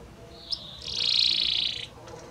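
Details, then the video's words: Belgian canary delivering a soft, high, rolling trill that swells and fades over about a second, preceded by a short faint note, with quiet background noise. "Magnífico Como canta este Canário Belga!"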